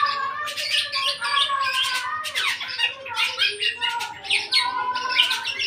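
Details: Young black-naped oriole, eight months old, starting to sing fully: harsh, rasping bursts layered over steady whistled tones, delivered in quick clusters about every half second.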